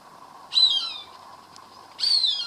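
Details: Cooper's hawk calling while eating a caught rat, recorded from a garage door, voicing its pleasure: two loud, squealing calls that slide downward, about a second and a half apart, over a faint steady hum.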